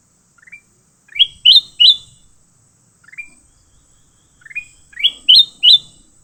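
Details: Leafbird caught and fighting gives quick upslurred chirps that grow louder into a trio of bright rising notes. The series comes three times in a few seconds, with faint low rumbling underneath.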